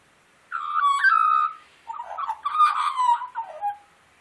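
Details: Wild Australian magpie singing while hungry for breakfast: a clear, sustained fluted note, a pause, then a jumbled run of warbling, gurgling notes that tail off into a lower whistle.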